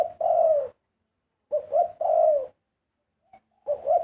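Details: Spotted dove singing, given as a large dove delivering a pleasing song: low, mellow two-part coos, a short note then a longer swelling one, phrases spaced about a second apart in a quiet setting.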